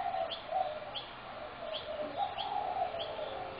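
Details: Backyard spotted doves at a feeding spot in Brooklyn Park, 6 November 2016: soft, low, rounded coos run steadily beneath a series of short high chirps repeating about twice a second.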